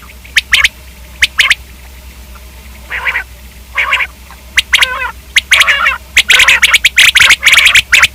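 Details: Common quail giving sharp, clipped double and triple notes, broken by a few nasal buzzy mews in the middle and a denser cluster of quick notes at the close.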